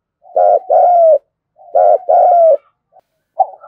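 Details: Spotted dove in kích bổi style, a call said to get doves cooing quickly: soft lead-in murmur, then a short and a long downslurred hoot, twice over, trailing into quiet fragments.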